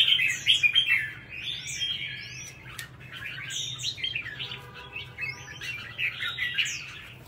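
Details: Red-whiskered bulbul, a caged contest bird in Vietnam, singing lively warbled phrases with sliding whistled notes, while other birds chirp with upswept calls in the background.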